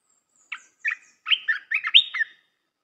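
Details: Red-whiskered bulbul song for young-bird training: a thin high note, then a tumbling sequence of about six cheerful warbled syllables rising and falling in quick succession.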